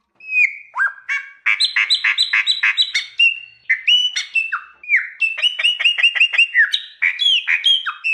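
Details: Canto mateiro mineiro of a wild chopi blackbird: a dense, varied run of ringing whistles, quick repeated chip-like notes and short harsh squawks, delivered almost without pause over eight seconds; background silent.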